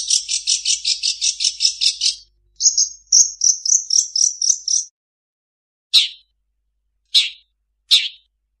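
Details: Long-tailed shrike singing a song packed with imitations of other birds: a fast series of rapid buzzy high notes, then a clipped rattling run of sharp chirps, followed by three separate loud downward chips spaced about a second apart.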